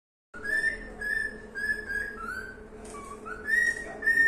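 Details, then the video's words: Cockatiel singing indoors: a series of clear whistled notes, some level and some gently falling, in short phrases about half a second apart, over a steady low hum. "calopsita cantando"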